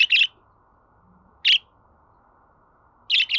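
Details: Budgerigar calls for playing to a pet bird: a doubled rough chirp, a single chirp, then another doubled chirp, each about a second and a half apart.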